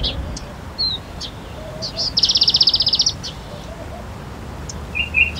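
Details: Palestine sunbird with sparse thin chips, then a quick, even trill of about eleven high notes lasting under a second, and a short double twitter at the end, over quiet background noise.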